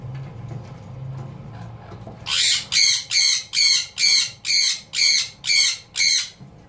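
A sun conure gives a series of about nine loud, harsh, screechy squawks, repeated steadily a little over twice a second, after a quiet start with low hum.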